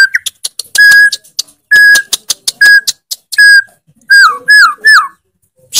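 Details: A white-rumped shama gives loud song rich in fills, opening with quick sharp ticks, then long steady whistles alternating with clicks, ending in three down-curving whistled notes in quick succession and a brief noisy burst.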